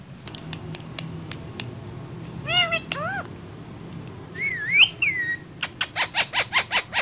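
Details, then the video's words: Pet parrot on a table with other parrots: scattered clicks, two rising harmonic sweeps, a wavering whistle rising and falling, then a fast run of evenly spaced chattering notes. "Mitthu On Table With Parrots And Talking"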